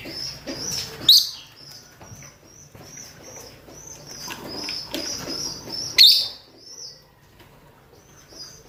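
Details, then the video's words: Rosy-faced and Fischer's lovebirds, males and females, giving mating calls: a constant stream of high, thin twitters broken by two piercing shrieks, one early and one near the sixth second. "نداءات ذكور وإناث طيور الروز والفيشر من أجل التزاوج"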